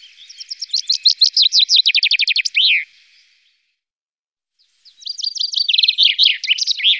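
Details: Common chaffinch in the Wittlicher Tal, recorded in 2018, giving two song strophes separated by about two seconds of silence, each a fast cascading series of high notes ending in a descending flourish.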